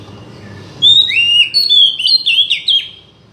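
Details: Oriental magpie-robin song played to make a silent bird start singing: a string of clear whistles, some long and level, others short and dipping, delivered in a lively phrase of about two seconds.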